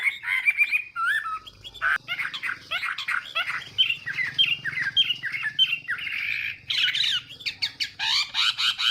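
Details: Chinese hwamei in competitive morning song meant to train the voice: dense, scratchy and whistled notes mixed together, some sliding phrases, with a rougher, buzzier texture and a faint low hum underneath.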